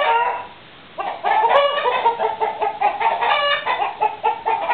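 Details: A flock of chickens and roosters keeps up continuous overlapping clucks and short squawks after a brief quiet opening.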